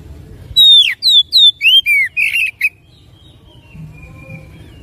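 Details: Oriental magpie-robin song used as a lure to make another magpie-robin sing fast and persistently: about two seconds of loud, clear whistled notes, sliding down then up, with short buzzy bursts, followed by quiet background.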